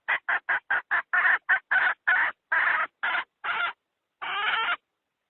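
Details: Hen lure call for trapping wild chickens: a run of about a dozen quick, harsh clucks, short at first then lengthening and spacing out, ending after a pause with one longer rasping note.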